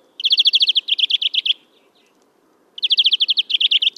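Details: In April 2015 at Kholm, Novgorod oblast, Russia, a European greenfinch delivers two fast twittering trills of bright repeated notes, each lasting over a second, separated by a short quiet pause.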